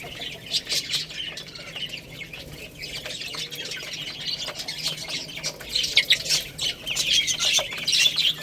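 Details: Chicks feeding on rice keep up a thin, high chirping, quieter at first and building toward the end into a denser, louder burst of overlapping peeps.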